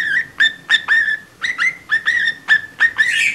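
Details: Budgerigar kept as a pet trying to sing a cockatiel's Mickey Mouse Club March: short chirpy whistled notes, each rising slightly, about three per second, ending in a buzzy flourish.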